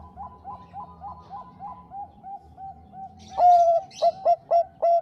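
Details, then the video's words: Bangkok-type zebra dove played to stir rival birds into answering: a gentle, rapid series of about ten soft coos gives way to loud, punchy short coos with a held note. "Perkutut bangkok gacor Suara Besar Merdu MENAIKAN MENTAL EMOSI LAWAN Bikin Nyaut RAME"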